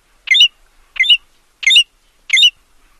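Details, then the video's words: American golden plover giving four short, sharp, two-toned notes, each burst repeated about every two-thirds of a second, against a clean, quiet background. "American Golden Plover Call, American Golden Plover Sound, Golden Plover Singing"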